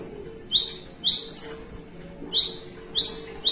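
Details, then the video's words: Javan bushlark, a kept bird at rest, in 'melung panjang' song: loud, high, ringing upslurred whistles, each swelling then fading, repeated about every half second in pairs, with a thin higher whistle between and a low hum behind. "BRANJANGAN MELUNG PANJANG"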